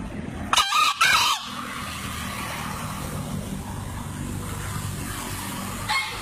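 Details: A two-year-old green junglefowl from Lombok, entered in a crowing contest, gives a short, hoarse, two-part crow near the start, then a faint later note, over a steady low engine-like rumble.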